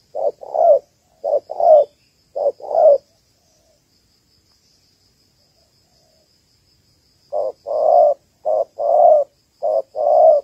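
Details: Female spotted dove calling to stimulate males, used as a lure for trapping: short-long paired coos, low and hollow, given in two bursts of three pairs separated by about four seconds of silence; faint steady hiss above.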